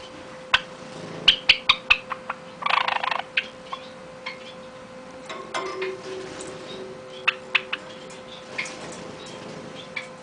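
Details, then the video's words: Java sparrow singing in scattered sharp clicks and short high chirps, with irregular pauses and a brief rattling burst, over a steady low electrical hum. "Java Sparrow song"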